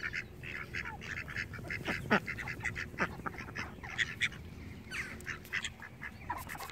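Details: Domestic ducks giving busy, overlapping nasal quacks and squawks over a noticeable low rumbling background noise.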